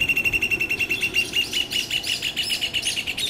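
Rufous hornero giving a loud, rapid series of ringing notes, about five or six a second. Sharper, sliding notes join in midway, like a second bird overlapping.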